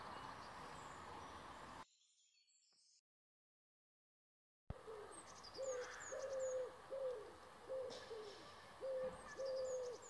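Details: Common wood pigeon, heard on a walk in Nowa Huta, gives a soft, low, hooting run of coos in a rhythmic phrase, with thin high chirps from other small birds and a brief silent gap.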